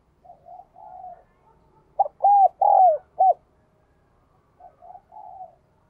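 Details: Spotted dove singing in the Vietnamese 'đồng kim' (bell-bronze, 'đồng chuông') voice style, described as resonant. One loud phrase: a short clipped note, two long arched coos, then a brief final note. Softer, quieter cooing comes before and after.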